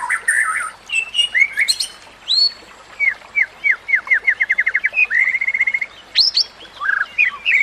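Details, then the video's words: White-rumped shama song used to train other shamas; varied whistles give way to a rapid even trill of short notes that quickens, followed by a level whistle and sharp rising upsweeps. "Masteran Murai Batu"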